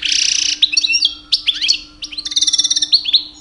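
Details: A two-year-old male European goldfinch sings loudly in the mating season to attract females: a fast, tinkling twitter of high buzzy trills and liquid chirps over a faint steady low hum.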